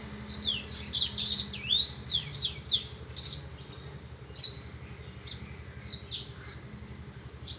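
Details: Horsfield's bush lark producing steep falling whistles and sharp chirps in spaced phrases, some notes clicking briefly, against quiet low background noise.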